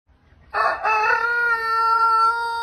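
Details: Crowing rooster: an abrupt, harsh two-part start, then a smooth, even, sustained note held steadily to the end without fading.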